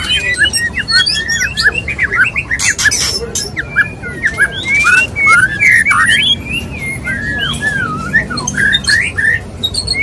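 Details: Courting white-rumped shama male: a long, busy sequence of varied whistled slurs and chirps, punctuated by loud harsh rasping bursts.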